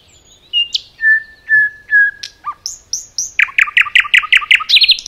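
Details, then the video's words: Nightingale singing in a forest: slow, pure whistled notes held low and steady, high slurred whistles, then a rapid series of loud repeated chirps. "Nightingale song"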